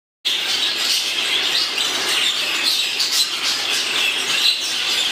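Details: Exhibition budgerigars chatter together in a dense, busy wash of high chirps, warbles and squeaks.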